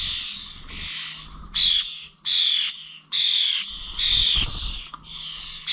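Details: Starlings at the old village feeders in Corby, recorded 21 November: loud rasping screeches in regular blocks of roughly half a second, separated by quieter chatter, over some low rumbling.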